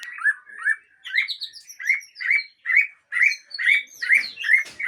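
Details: Captive Aceh-type white-rumped shama from a breeding farm singing a string of rich, down-slurred whistled notes, about two per second, building into higher, more varied whistles and trills near the end; no other sounds.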